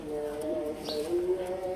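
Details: Pigeons at Mirpur 1, kept with their eggs and chicks, give low, soft cooing: steady humming tones with a slight waver run through the whole stretch, joined by a brief, faint higher note midway.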